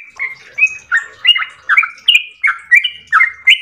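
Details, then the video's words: Ropel-style song of a yellow-vented bulbul: rich, slightly buzzy phrases that step down in pitch, given in quick succession with a few thin higher notes between them. "ROPEL MERDU trucukan gacor ropel panjang istimewa"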